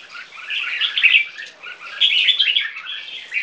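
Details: Two three-month-old Viet-Thai crossbreed red-whiskered bulbuls, caged, singing in competition: a dense, overlapping jumble of bright chattering notes, with two louder swells of warbling about a second apart.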